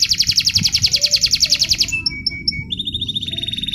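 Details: Canary singing for contest training: a rapid, loud pulsed trill for about two seconds, then sparse short high notes and a steady whistled trill, over low background noise.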